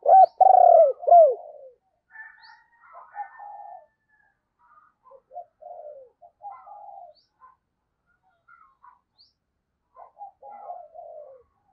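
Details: Decoy spotted dove cooing to attract wild doves. It opens with a loud run of arched, pulsing coos, followed by a long sequence of faint, irregular soft coos and murmured notes.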